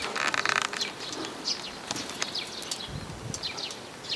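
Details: Sparrows coming to be fed, recorded 3 May 2022 while walking out: short, bright chirps scattered through the clip, some overlapping, over a steady background hiss with low rumbling noise.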